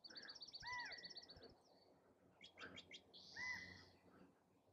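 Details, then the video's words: Male California quail calling for a mate: clear slurred whistled calls with a rising-falling arc, given twice about three seconds apart, among faint chips and buzzy notes from other birds. "California Quail calling for a mate"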